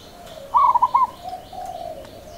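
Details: Local zebra dove singing in the seni irama rhythm style: one short burst of soft, stuttering, bubbling coos in quick pulses, over a faint steady lower hum.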